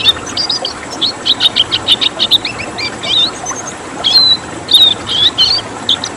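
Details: Red siskin, a rare protected bird, delivering a tembakan song: a string of quick, evenly spaced chirps, then bright rising whistles and twitters against faint background noise.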